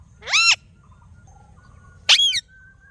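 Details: Natural sounds of a talking parrot: two loud, harsh, arching squawks about one and a half seconds apart, with faint soft whistles between them.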